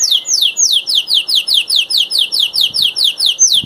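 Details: Canary, one of three master singers, repeating a falling whistled note about four times per second, each sweeping downward, in a steady rhythmic phrase with faint background noise.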